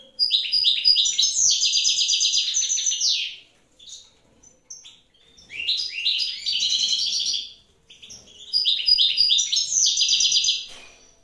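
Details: European goldfinch, wild pair at evening during incubation by the female: three bursts of rapid, liquid twittering and buzzy trilled notes, each lasting about three seconds, separated by short near-silent gaps.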